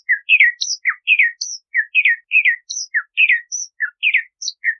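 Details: Bahama mockingbird song: a continuous run of varied short phrases, a mix of burry warbles, downslurred notes and brief high whistles, delivered at an even, quick pace.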